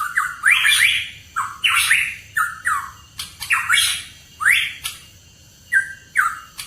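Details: Hooded pitohui song as a lure track for songbird keepers: harsh squawking notes alternate with clear, rising whistled slurs, delivered in bursts about every half second to second against a quiet background.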